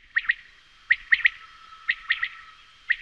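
Common quail repeating its sharp, liquid three-note phrase, 'wet-my-lips', about once a second; a faint steady whine runs underneath.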